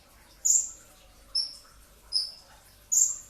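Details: Pre-dawn song of a brown-throated sunbird, delivered in rapid bursts as a training recording. Four piercing, very high notes slide downward, spaced under a second apart, over quiet background hiss.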